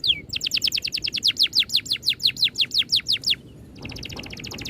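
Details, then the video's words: Oriental magpie-robin 'ngerol' roll: one falling whistle, then about twenty-five fast, regular descending notes over three seconds, ending in a quieter buzzy trill with low background noise. "MASTERAN BURUNG NGEROL RAPAT TEMBAKAN RAPI"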